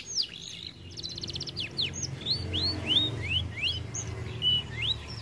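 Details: Canary said to be reluctant to sing because it is too fat: repeated upslurred whistled notes, a fast buzzy trill near the start, and a steady low hum underneath.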